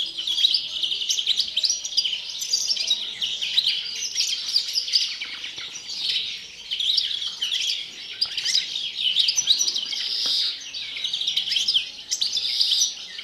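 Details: Long run of European greenfinch song in the pre-breeding season: lively, high twittering and rippling trills delivered without pause, slightly swelling and easing in loudness every few seconds.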